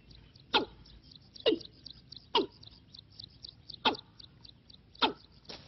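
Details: A Watercock calling as a trapping decoy gives five short, harsh, falling notes at uneven gaps of about one second, with faint ticking high above.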